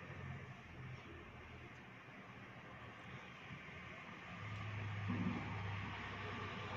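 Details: Steady low engine-like rumble and hum that swells toward the end, with no animal voice heard.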